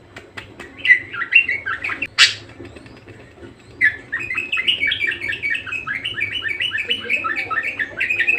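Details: Budgerigar singing: a few clicks and a short chattering phrase with one harsh burst, then a long continuous run of rapid, squeaky warbled chirps; low background hum.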